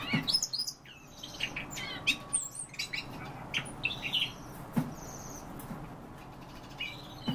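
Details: Common starling song: a varied jumble of short whistles, chirps and sharp clicks, some notes rising and others falling, delivered in loose bursts over a steady low hum.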